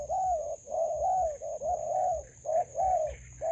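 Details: Spotted dove used as a decoy while trapping in a melaleuca grove, giving repeated low mellow cooing phrases, each note slightly arched and about half a second long, with a steady high electronic whine throughout.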